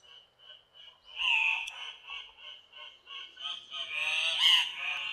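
Andean cock-of-the-rock giving a quick series of nasal, croaking notes, with two louder, harsher squawks breaking through the steady run.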